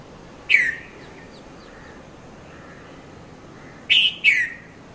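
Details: Morning red-vented bulbul (Konda Kurulla) at Mount Lavinia, Sri Lanka, recorded with a Nikon Coolpix P510 between 5:30 and 5:40 a.m.: a lone falling chirp, a pause with soft distant bird notes, then a quick double chirp, the second dropping in pitch.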